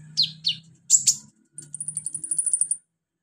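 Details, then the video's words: Konin sunbird, known locally as kolibri ninja, used as singing therapy: a few buzzy high notes, then a rapid even trill of about fifteen thin chips over faint low humming. "NGETREN TERAPI KONIN GACOR 2023 full roll rapat tembakan pedas"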